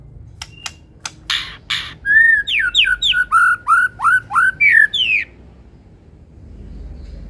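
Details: Medan white-rumped shama in active full-isian song: sharp clicks, then a fast run of loud, varied whistled notes, some rising and some falling, repeated about three times a second for three seconds, followed by quiet.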